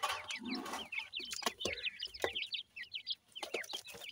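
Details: Captive Grey francolin chicks during feeding, giving a dense stream of short, high, hooked cheeps in quick succession, with pecking taps and brief low rustling between notes.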